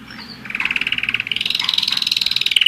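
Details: A one-year-old German Roller-split canary produces a fast pulsed rolling trill that gradually climbs in pitch and grows louder.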